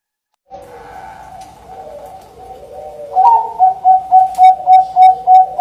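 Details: Zebra dove lure song among several perkutut. At first, overlapping soft trills and slurred coos from more than one bird. Then one bird breaks into a loud, regular run of bright, quick coos, about three per second.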